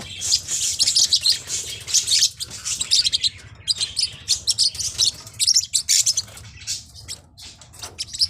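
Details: Continuous high twittering from Forpus parrotlets, many shrill chirps running together in quick clusters, easing slightly toward the end, with a soft low drone beneath.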